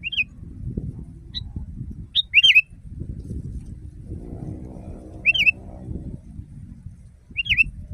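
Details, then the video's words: Sooty-headed bulbul recorded for training caged birds: scattered bright, wavering whistled notes and short two-part phrases at irregular intervals over steady low background noise and a brief humming sound. "Masteran burung kutilang di tempat raja kutilang. Suara keras fulll alam"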